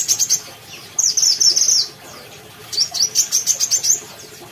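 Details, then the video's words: A Brown-throated sunbird from Kalimantan sings energetically in three bursts of shrill, high twittering chirps separated by short pauses, each phrase fast and rattling. "kolibri kelapa kalimantan gacor"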